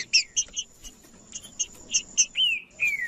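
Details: Male green-winged saltator (trinca-ferro) in 'macheando' singing, a male display meant to rouse other trinca-ferros: a series of sharp, high double-toned chips about every quarter second, ending with two clear, slurred whistles that fall in pitch.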